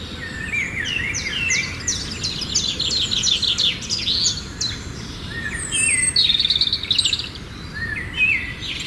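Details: Several birds singing at sunrise in a Telugu village setting: overlapping whistled phrases, quick rising and falling notes and rapid trills, with a steady low background rumble throughout.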